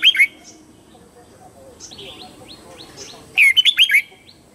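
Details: Morning song of a red-whiskered bulbul meant to train young birds: a short whistled note pair opens, soft twittering follows, then a loud phrase of five quick, warbling notes.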